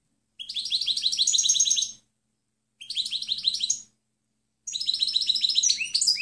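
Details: Goldfinch, clean song for teaching other birds: three tinkling phrases of fast repeated high notes, about one and a half, one, and two seconds long, the last more varied with rising chips.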